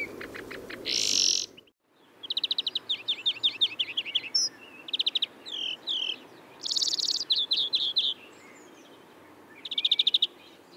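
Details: European greenfinch in Córdoba sings in bursts of fast, twittering trills mixed with harsh, buzzy notes, against a faint low rumble.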